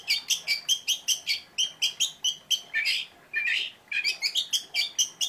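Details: Oriental magpie-robin in lively song with sharp 'tembakan' shots: a fast, even series of short ringing chips repeated about five times a second, broken by two longer raspy buzzy notes, then more quick chips.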